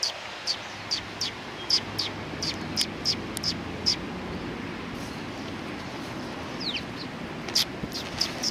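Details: Sparrows coming to be fed at a Tenmangu shrine, recorded 19 September 2020: short sharp chirps spaced irregularly about every half second, a quiet gap midway, then a few more chirps near the end over steady low background hum.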